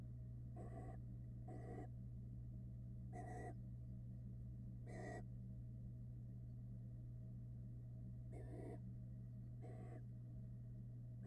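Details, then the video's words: Barn owl family at a nest box in Florida, hungry young begging as the male brings a rat: harsh, breathy hisses, each about a third of a second, repeated at irregular intervals over a steady low hum. "Male barn owl brings dinner (Rat) to his hungry family"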